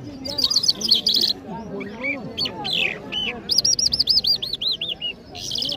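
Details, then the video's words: Singing Mashhadi jal, an Iranian bird, in Kabul, Afghanistan: buzzy trills, scattered single notes, then a run of about nine ringing arched whistles, ending in another buzzy burst over soft human voices. "Jal Bird Singing |Iranian Jal Mashady Birds | جل مشهدي |طرقه پرنده مست و خواندي در کابل"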